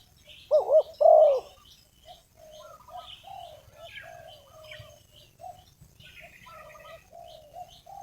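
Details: Decoy spotted dove calling to lure wild doves for trapping: two loud, throaty paired coos open the passage, followed by fainter, distant cooing and soft high chirps from other birds.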